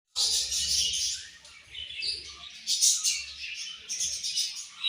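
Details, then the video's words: Budgerigars in a flock chirping at morning feeding time, a dense, continuous chatter of high, scratchy twitters and warbles with loud bursts around the first and third seconds. "Budgies Morning Food And Chirping Sounds"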